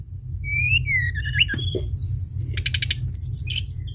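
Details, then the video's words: Sunda bush warbler singing strongly on a lure recording. Looping whistled notes waver and fall, then a short buzzy rattle and a high descending whistle. A constant low hum sits underneath. "pancingan tledekan gunung gacor"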